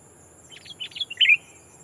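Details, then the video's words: Sooty-headed bulbul, a decoy bird calling a rival to lure wild birds: a short run of bright chirps ending in a louder warbled phrase, over a steady high insect hum. "Burung kutilang pikat memanggil lawan bikin kutilang hutan ketar ketir!!"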